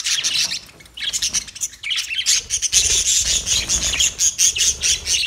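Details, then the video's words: Budgerigars, newly acquired, giving a dense stream of high, scratchy chirps and warbling chatter, continuous through the recording with rustling underneath. "New Budgie Birds Sounds"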